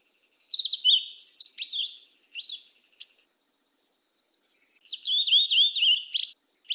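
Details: Black-plumaged yellow-legged thrush singing in the southern 'mateiro' style: clean, high warbled and whistled phrases with fast slurred notes, given in bursts of about a second separated by short pauses, with a longer gap before a final run; no other sounds.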